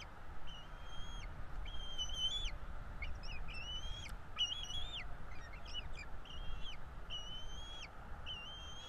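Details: Two bald eagle chicks begging as they are fed at a Florida nest: a long series of piercing flat whistles, each ending in a drop, with bursts of faster chittering notes mid-sequence.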